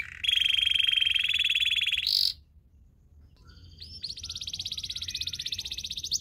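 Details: Belgian singing canary, singing to train other canaries: a loud, even low rolling trill lasting two seconds, a short pause, then a rising buzzy trill that grows steadily louder.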